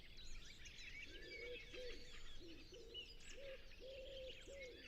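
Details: Common wood pigeon cooing at sunset in a natural reserve. Low, soft hooting notes come in a rhythmic series of about six phrases, over a busy chorus of high twittering songbirds.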